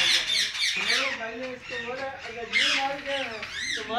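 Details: Parrots kept in pairs in a farm aviary give loud, harsh, rising and falling squawks in quick irregular succession, overlapping one another, with a man's voice faintly audible.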